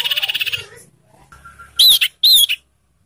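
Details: Song of a young sirtu, played to coax caged birds into singing. A quick buzzy pulsing rattle opens, then after a pause come two loud, sharp, high chirped notes in quick succession.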